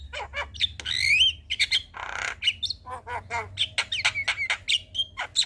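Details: Evening song of a Javan myna, used to train young birds: a rapid jumble of clicks, a bright rising whistle, a harsh rasping burst, then mixed chatter and short whistles, over a faint low hum.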